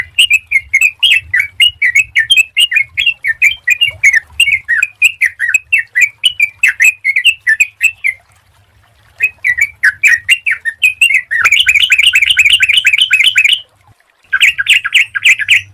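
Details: A lively yellow-vented bulbul (trucukan), recorded as a tutor to get other bulbuls singing, pours out a fast, bubbly chatter of short liquid notes, almost without pause.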